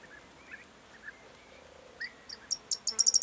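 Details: Corn bunting, 4 June 2022: after several soft, lower chirps from other birds, loud high ticks begin and speed up into the start of the song as the recording cuts off.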